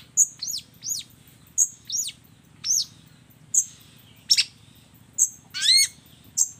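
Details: Long-tailed shrike singing borrowed phrases: thin, very high pips each followed by a falling slurred whistle, repeated about once a second, with a harsher buzzy burst near the end.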